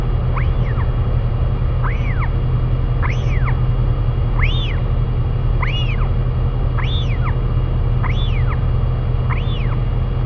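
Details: In New Zealand, royal albatross parents feed their chick while arched upslurred-downslurred whistles repeat roughly every 1.3 seconds, strong and regular over a constant low rumble.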